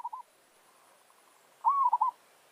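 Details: Village-bred zebra dove (merbok kampung) calling while luring wild forest doves into a challenge. A faint coo is followed by one loud phrase: a rising opening note running into a rapid stuttering roll of coos.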